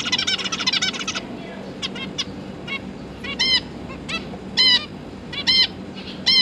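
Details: Zebra finch parents tending three fledged juveniles, 31 October 2022; an opening second of rapid nasal chatter, then spaced, loud, harmonic beeps and softer ticks, steady low hum in the background.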